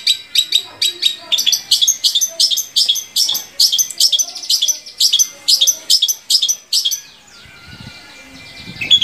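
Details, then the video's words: Shrike song played to stimulate other shrikes to sing: busy, high, scratchy notes in rapid repeated bursts, about two or three per second, ending in a short quiet stretch with a faint thump. "SUARA BURUNG‼️Cendet mana aja yang gak mau gacor bila seperti ini"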